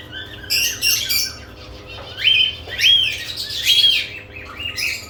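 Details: Lovebirds active around added nest boxes, giving high, sharp chirps and squeaky squawks in bursts, some with short rising-falling whistled notes, over a faint steady low hum.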